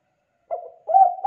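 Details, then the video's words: Brief spotted dove singing used for training young doves: a soft low coo followed by a stronger, steady hooting note, in a quiet setting. "Suara Tekukur GACOR, Melatih Tekukur Muda Trotol Bakalan Ikutan Bunyi"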